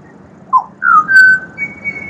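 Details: Pied butcherbird (Cracticus nigrogularis) in Australia giving a short whistled phrase: a brief downslurred note, then a long pure level whistle, ending with a higher sustained tone.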